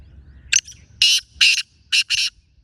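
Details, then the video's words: Wild black francolin calling alongside a captive one: harsh, grating, broadband notes in short clusters, a brief pair followed by two longer grouped bursts about one second apart. "Jagli teetar aa gya"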